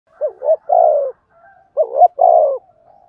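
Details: Spotted dove cooing in the thổ đồng voice style, used to spur newly caught doves to coo. Two low, hollow three-part phrases arrive about 1.3 seconds apart, each with two short rising notes and a longer falling coo. Faint extra tones sound in between.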